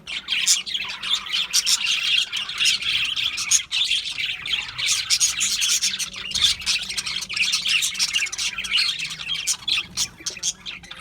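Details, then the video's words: Budgerigars chirping together in a dense, continuous chatter of high, scratchy twitters and squeaks with no pause. "Parrots Chirping sounds"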